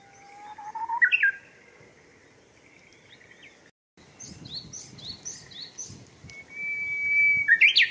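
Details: Japanese bush warbler in Showa Kinen Park, 10 April 2021, giving two songs: a sliding whistle ends in a sharp flourish, then after a pause with high twittering birds, a long level whistle ends in a louder rising flourish.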